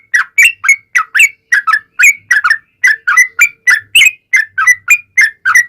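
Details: Yellow-vented bulbul singing a fast lure song to prompt replies from other bulbuls: quick, evenly spaced liquid whistles, often paired, each slurring upward, around three per second.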